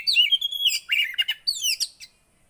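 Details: Javan white-eye song to encourage a silent bird to sing: continuous high, sweet twittering with quick slurred whistles and chattering notes for about two seconds before fading out.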